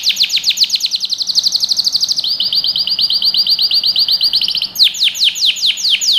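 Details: Canary song recorded as training for young birds: a run of rapid falling sweeps, then a steadier, lower rolling trill, and finally slower, loud down-slurred notes with a high shimmer above them.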